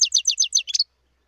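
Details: Wild European goldfinch giving five quick, evenly spaced high chirps followed by one fuller, slightly buzzy note, then silence.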